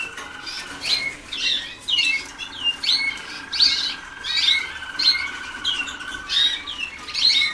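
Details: Young Waterslager canaries a few days into song training at a singing school in 2010, giving short chirping notes about every 0.7 seconds, with a faint steady whistle and a low room hum underneath.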